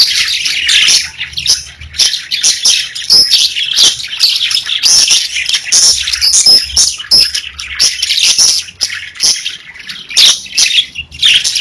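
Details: Chirping pet parakeets fill the recording with busy, overlapping warbles, squeaky whistles and clicking notes, the chatter dipping briefly around nine seconds before resuming.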